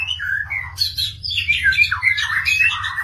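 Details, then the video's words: White-rumped shama (murai ekor panjang), a breeding-ready bird, sings a rich, varied run of whistled and chattering phrases, sliding between mid and high pitches, over a low steady indoor hum. "Burung Murai Ekor Panjang"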